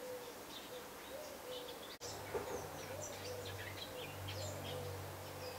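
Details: A nest of young Eurasian wrens on 15 August 2011: after a brief quiet spell, a busy cluster of sharp, high twittering chirps breaks out, many rapid notes overlapping, with low hum beneath.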